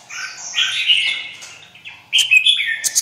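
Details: Red-whiskered bulbul with white wing feathers, in a fired-up state: a drawn-out warbling phrase, a brief lull, then a sudden loud burst of sharp, sweet whistles.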